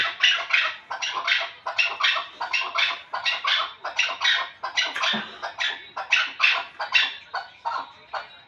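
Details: Chukar partridge from the Pamir giving a long series of harsh, clucking chuk notes in uneven rhythm, roughly one to two per second, continuing steadily throughout.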